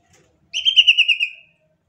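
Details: A Sumatran leafbird (Chloropsis media) gives a rapid, buzzy song trill of about eight fused notes, high-pitched and slightly falling, lasting just under a second.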